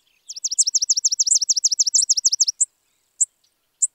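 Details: High, rapid trill from a Spizella sparrow, about a dozen quick repeated slurred notes over two seconds, followed by three separate sharp chips.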